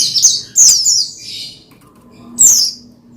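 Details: Oriental white-eye (pleci) sounds used to excite another pleci: a short twittering burst of high, buzzy, falling notes, then one more thin chirp after a quiet pause.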